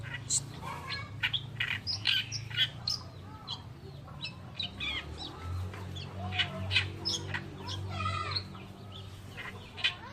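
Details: Oriental reed warbler, called kerakbasi alis putih locally, singing a masteran song: scratchy, croaking and chattering notes in uneven bursts with short pauses, over a constant low rumbling background hum.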